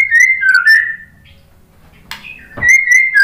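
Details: Lure of white-rumped shama song for making birds answer: pure wavering whistles, a short pause with a click, then more smooth level whistled notes.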